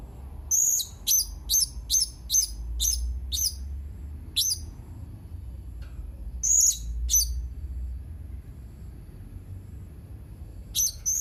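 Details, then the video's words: Serindit (blue-crowned hanging parrot), 31 March 2021: a long run of shrill, high single and paired chips, uneven in spacing, pausing and resuming, over a low rumbling background. "Burung Serindit anda gak akan diam mendengar Suara serindit ini"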